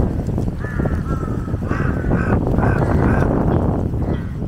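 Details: Jungle crows waiting for scraps near a feeding monitor lizard give a string of short, raspy caws, overlapping and uneven, against strong low background noise.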